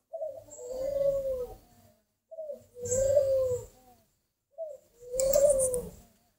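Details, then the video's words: Spotted dove from a breeding facility, described as a good brooder, cooing three times about two seconds apart. Each phrase is a short low lead note followed by a longer, hoarse, arched coo, with faint rumbling noise underneath. "chim cu gáy hay ấp"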